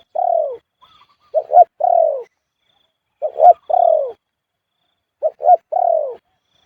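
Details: Spotted dove cooing in the khu-ang style: three evenly spaced phrases, each two short hollow notes and then a drawn-out coo sliding downward, roughly every two seconds, in a quiet setting.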